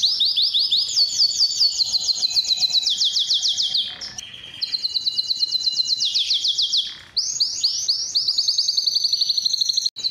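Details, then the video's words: A Belgian canary pours out its mating song, used to train birds: bright rolling high trills in distinct tours, broken by short pauses near four and seven seconds, a click at the end. "Kenari gacor cuit cuit NgeroL,Kenari BISU Susah Bunyi Pancingan kenari paud belajar bunyi,Pancingan"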